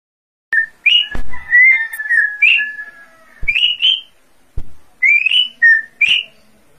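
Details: Greater green leafbird singing clear whistled notes that slur upward and level out, given in quick varied phrases with a few sharp clicks between them.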